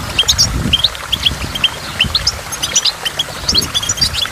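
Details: Goldfinch song near a waterfall, given as scattered high chirps and brief twittered notes spaced through the clip, with running water and splashing droplets underneath.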